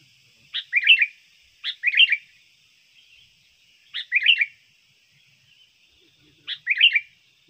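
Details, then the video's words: Lure song of a trained sooty-headed bulbul, meant for trapping and contest tutoring: four rollicking phrases, each a sharp opening note and then a tumbling triple warble, over a faint background hum. "pikat burung kutilang Bagus gacor"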